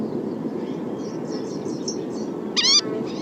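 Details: Green-tailed Towhee giving its characteristic call, a single catlike mew: a high, nasal, slurred note of about a quarter second over faint high chips and a low hum; a bird in its winter range.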